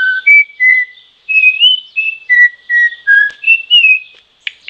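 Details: Troupial song: a run of clear whistled notes, some steady and some gently rising or falling, in a medium-high register, with short pauses between them and a faint rasp at the end.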